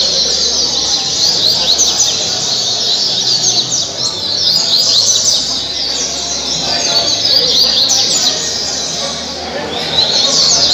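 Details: Captive coleiro (Double-collared seedeater) from Angra dos Reis, Brazil, in caribe song style: long run of fast, high twittering notes and quick slurs, briefly easing around the ninth second, over steady hiss.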